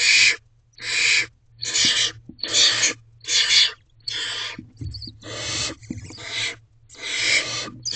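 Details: Hungry barn owlet in a nest box on the evening of 3 May 2023 after rain, begging to tell its mother it is dinner time: harsh broadband rasping hisses repeated about once a second over a low steady hum.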